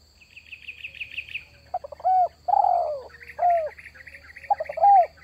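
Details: A rapid high trilled twitter from another bird comes first. A spotted dove then gives its lure call: soft stuttered notes, a long falling coo and shorter rounded coos, while the twitter returns in the background.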